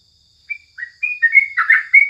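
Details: Crucukan, the yellow-vented bulbul, singing in the morning for bird-training purposes: after a brief silence, scattered whistled notes build into a burst of rich, gurgling chirps, over a thin constant high tone.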